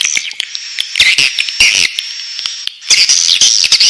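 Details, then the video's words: Swiftlet nestlings in the nest: a thin sustained high whine with rough rasping bursts and scattered clicks, briefly quieter before a louder raspy outburst. "Suara walet anakan dalam sarang"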